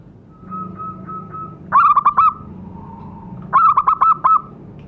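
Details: Local zebra dove used as a lure to make caged birds start calling: two stuttering cooing phrases of quick clipped notes, each ending in a held tone, over a soft steady whistle and low background hum.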